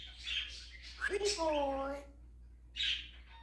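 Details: African grey parrot mimicking sounds: a breathy hiss, a quick squeak, then a long level nasal meow-like note, followed by a short breathy rasp.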